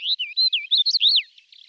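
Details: Greater short-toed lark male in flight, song with mimicry: a quick run of clear high whistled slurs, rising and falling notes strung together without pause, fading into faint twitters.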